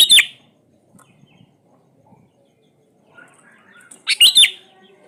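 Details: Sooty-headed bulbul, played as a lure to coax quiet birds into singing: a brief bubbly whistled phrase, a long near-silent pause with faint chirps, then another loud warbled burst.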